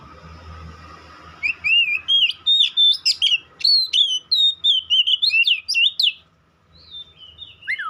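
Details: Kacer, the white-rumped shama, pouring out a fast string of whistled, wavering notes and sharp chips for several seconds, then a short pause and a final falling whistle.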